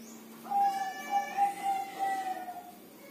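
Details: Kept zebra dove during the rainy season, when it seldom sings: one drawn-out, wavering mellow coo lasting about two seconds, with a soft hum in the background.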